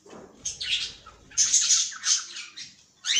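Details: A caged cockatiel gives scratchy, twittering chirps that build into a loud burst of shrill notes, a short pause, then another sharp call at the end.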